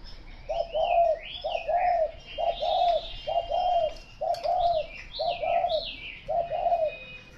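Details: A spotted dove coos steadily. Low, soft, double-humped notes repeat about once a second in a continuous series, while another bird whistles higher, wavering phrases in the background.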